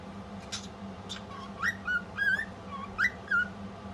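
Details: A female pet cockatiel sings a string of clear whistled notes that swoop up and down, with a faint low hum behind.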